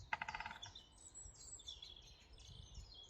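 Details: Woodpecker pecking wood somewhere up in the trees, out of sight in the woods: a fast burst of about a dozen hollow taps lasting half a second, then thin high chirps and whistles of other birds over a low background rumble.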